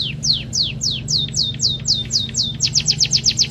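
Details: Munia with canary song training sings a series of high, clear, falling whistled notes, evenly spaced at first, then speeding into a tight, rapid trill near the end, over a low background hum.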